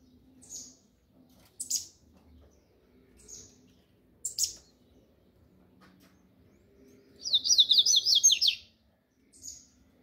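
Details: Double-collared seedeater (coleiro) singing the 'mexida do grego' song style: scattered short, very high sharp chirps, then a rapid buzzy trill of zigzagging notes lasting about a second and a half, followed by one more chirp.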